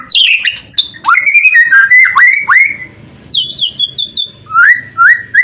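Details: Loud white-rumped shama song meant to set other shamas singing: bright whistled notes that drop and rise, sharp upslurred phrases, and short pauses between bursts, over faint low background rumble.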